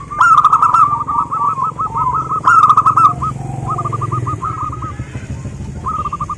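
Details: Local zebra dove song: runs of short, hooked cooing notes repeated in quick trills, broken by louder bursts of rolled notes, over a steady low engine rumble.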